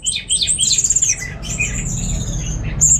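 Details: Orange-headed thrush kept in Singaraja, North Bali. A harsh, very high, scratchy chatter with quick raspy notes fades into a thin sustained hiss-like tone.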